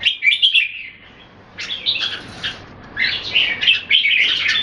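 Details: Caged red-whiskered bulbuls in a Singapore-style display bout: a bright chirpy phrase, a quiet gap, then rapid overlapping warbled notes returning in loud bursts.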